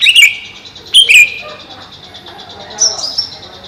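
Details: Captive greater green leafbird, housed over a pond: two loud, bright chirped notes about a second apart, each sliding slightly downward, followed by softer high twittering against a constant background hiss.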